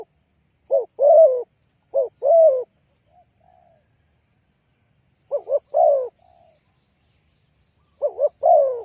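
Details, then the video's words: Spotted dove lure call used for trapping, a mellow, low coo phrase of two short notes and then a longer falling note, repeated at uneven intervals with silent gaps. "The Chim cu gáy chiêu kích mồi tập bổi nhanh nổi hiệu quả"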